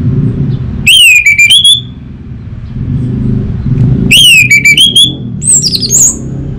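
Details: Orange-headed thrush singing in Singaraja, North Bali, Indonesia, used to prompt a young bird to sing openly: two bright phrases of sweeping whistles dropping then rising, separated by a pause with low background hum.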